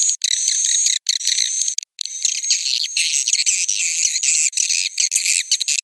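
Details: Swiftlets producing a roosting call, a thick, rattling high-pitched twitter with a faint tonal line, almost continuous after a few early breaks.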